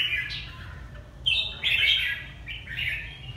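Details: Red-whiskered bulbul from Ha Tinh, Vietnam, producing a soft opening phrase followed by a loud, rich slurred warble and a final shorter phrase, notes sliding between high and middle pitches; light hum in the background.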